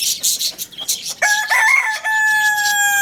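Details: Rooster crowing in the morning at the Lalukhet bird market, hashtags naming a Lohmann Brown: a loud, harmonically rich crow with a steady drawn-out tone starts partway through, after a burst of high chattering bird calls.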